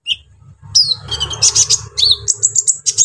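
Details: Brown-throated sunbird delivering a lively, rough song to provoke rival sunbirds: a dense stream of piercing high twitters and squeaky trills, steady low background hum throughout.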